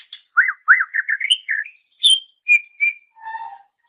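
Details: Greater green leafbird song used as a master recording for training songbirds; a varied run of loud whistled and slurred phrases, rising and falling, ending in steady lower whistles.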